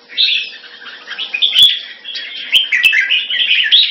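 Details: Red-whiskered bulbul recorded on 2 September 2017, giving a continuous rapid warble of chattering, slurred notes with brief brighter whistled accents, broken by several sharp clicks.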